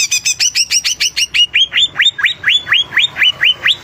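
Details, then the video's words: Energetic greater green leafbird song of rapid doubled high notes giving way to a steady series of loud down-slurred whistles, about two per second, very clean and close. "Cucak Ijo Gacor"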